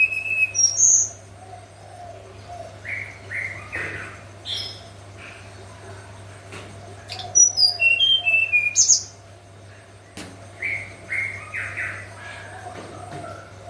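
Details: Hill blue flycatcher's flute-like nyuling song in the morning: short very high whistled notes, a fast descending cascade near seven seconds, and many softer mid-pitched chirps, with a steady low hum throughout.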